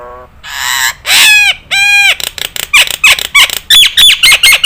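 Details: Nias hill myna recorded as training audio for other birds to copy: loud drawn-out harmonic honks, then a fast series of clipped metallic whistles and squawks, roughly two per second.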